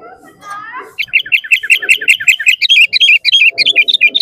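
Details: After a second of soft murmuring, a sooty-headed bulbul pours out a fast, unbroken run of chirping notes, loud and excited, in a recording meant to provoke caged and wild bulbuls into song.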